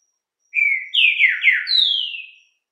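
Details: Green-winged saltator (trinca-ferro) singing the luxo-style "bom dia Dotosinho" song: one loud whistled phrase of about two seconds, a level opening note, then several slurred dipping notes, ending in a high drawn-out falling whistle; no other sounds.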